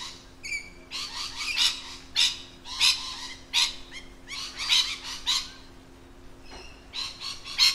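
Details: Busy chatter of lorikeets in their natural habitat, with rough screeches mixed with brief whistled notes in irregular bursts and a faint low hum throughout.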